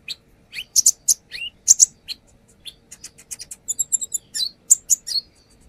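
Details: Brown-throated sunbird, known locally as konin, in a lure recording that shows off its varied repertoire: rapid high sharp chirps and short clipped notes, a few downslurred whistles, then a run of thin high tinkling notes near the end.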